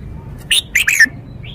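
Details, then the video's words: Red-whiskered bulbul kept as a cage bird, showing its song phrasing with every note stressed: three loud, rich, chortling notes in under a second, ending in a falling whistle, then a soft high trill. "นกกรงหัวจุก 496 จ้าวคำหมาน แกนโต โชว์สำนวน ชัดเจนเน้นทุกดอก"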